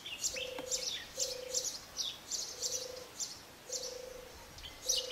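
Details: European turtle dove (Streptopelia turtur arenicola) in Asrir, Morocco, in March 2012, giving low, soft purring phrases about every second, with busy high chirps and twitters from other small birds throughout.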